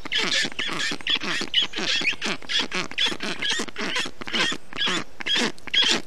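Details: Nest of black stork storklets in Estonia on a hot June day in 2021, the parent bringing water and wet grass to cool them; hoarse, buzzy calls in a fast chain of roughly two per second.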